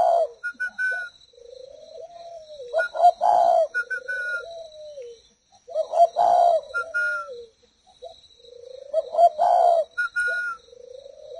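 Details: Captive tame spotted dove from a breeding pair, giving a deep, soft coo phrase of several notes that swells into a longer rolling note, repeated about every three seconds. Brief higher whistled chirps from another bird are heard between phrases.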